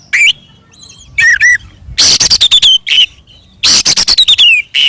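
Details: Oriental magpie-robin singing in a fighting mood, used to provoke other magpie-robins into answering: loud bursts of sharp broadband notes and rapid clicking trills with bright whistled slurs near the top, separated by short pauses.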